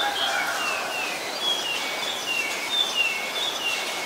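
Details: Black-collared starling in Ubon Ratchathani, Thailand, on a rainy 15 October 2021, uttering a run of thin, high, slurred whistles, several falling in pitch, one after another over constant rain hiss.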